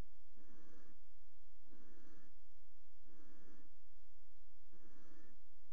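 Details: Barn owl pair at a water-tower nest box, recorded 5 February 2018 around mating on the box edge. Steady snoring hisses, four broad noisy bursts evenly spaced about every 1.3 seconds, with a faint background hum.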